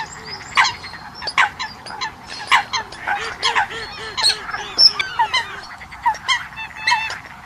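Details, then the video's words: Eurasian coots give a busy chorus of short, nasal, honking calls, overlapping and irregular, with a run of soft, evenly spaced low notes in the middle. "Tiếng sâm cầm"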